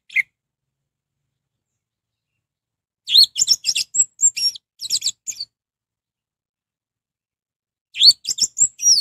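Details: Orange-headed thrush (anis merah) song used as a lure to stir other thrushes into singing: a brief note, a pause, then a dense burst of varied high chirps and whistles, and a second burst near the end. Background is quiet.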